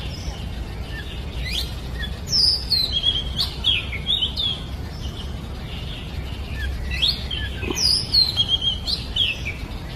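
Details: Wild oriental magpie-robin in full song, delivering rich whistled phrases of sliding, falling notes. One burst comes early and a similar phrase returns about five seconds later, against constant rushing background noise.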